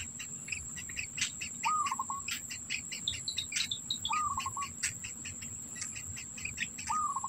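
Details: Black bittern at a nest with young, the adult carrying food in its mouth; three quick stammering trills arrive roughly every two and a half seconds against busy high chirping and a steady insect whine.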